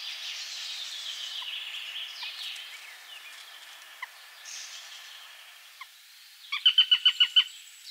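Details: A Eurasian sparrowhawk at its nest with one chick in the breeding season gives a quick burst of about six sharp, high kek notes near the end, over steady background hiss and a few faint clicks.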